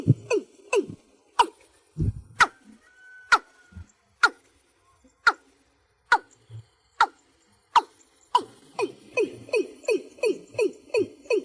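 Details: Watercock calling the flock at night: hollow, downward-sliding notes, widely spaced at first, then speeding into a fast, even run near the end, with a few sharp clicks early on.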